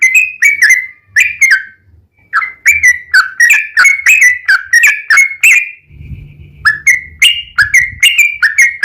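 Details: Yellow-vented bulbul singing vigorously in a long rapid 'ropel' style, used as a lure to make other bulbuls sing: bubbly, slurred chirps repeated in quick bursts, a short level note near the middle, faint low hum beneath.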